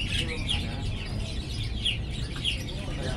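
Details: Lovebird with pretty colours chirping actively: scratchy, high, sweeping notes in short bursts about every half second, softer chatter between, all over a continuous low droning noise.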